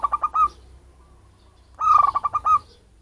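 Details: Local wild zebra dove calling as a lure for birds: the tail of one pulsing coo phrase, a short pause, then a full bubbling run of about eight rapid mid-pitched notes.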